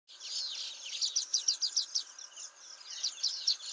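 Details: A male Baya Weaver at Motisagar pond, Agar Malwa, gives a fast run of high, dry chirps and wheezy notes, about five a second, over a steady background hiss.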